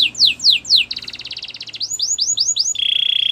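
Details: Gloster canary song: three loud falling whistles, a fast buzzy trill, a run of arched chirps, then a steady high rolling trill.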